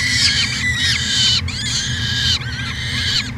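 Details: Nest-cam recording of a peregrine falcon in Edmonton, Canada, in 2017, with a few loud, grating cries in quick succession, each arching up and down, over a constant low drone.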